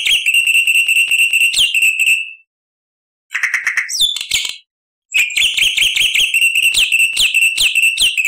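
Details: Black-winged starling with long shrill ringing trills, a brief harsh chatter between them, then the piercing repeated trill resuming, loud and sustained.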